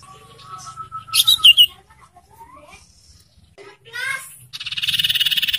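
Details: Young sirtu singing, used as a lure song to get caged sirtu birds to start singing. Short high chirps and a whistled note give way to a rapid buzzy rattle of repeated pulses near the end, with a low hum underneath.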